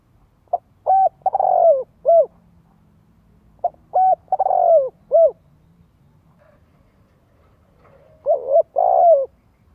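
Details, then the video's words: Spotted dove cooing, used as a lure call to stimulate young birds to practise cooing: soft, mellow phrases of a short note, a longer rolling coo, then a short closing coo, repeated three times over quiet background. "Tiếng chim cu gáy Kích Mồi"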